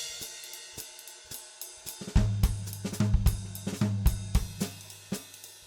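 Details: A drum kit plays, with crashing cymbals, hi-hat and snare over a deep bass line and no animal sounds.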